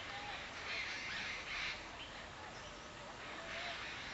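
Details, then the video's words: Rufous treepie in Sinhagad Valley, 31 January 2010, giving harsh, rasping bursts in two main outbursts a couple of seconds apart, over a steady hiss of background noise. "Rufous Treepie"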